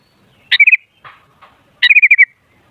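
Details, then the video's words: Lure song of a sooty-headed bulbul meant to make others call loudly: a sharp, bubbly phrase of rolling notes, a soft pause with faint clicks, then a longer rippling run of five or six quick chirps. "Suara Burung Kutilang Ampuh Buat Pancingan Jadikan Kutilang Ribut Gacor"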